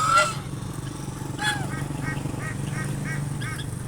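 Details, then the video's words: A pair of swans resting in shade under a bush on a sunny day give a loud honk, then a run of short nasal notes, about three per second, over a steady low rumble of traffic or an engine. "Swans making sounds reminding their presence"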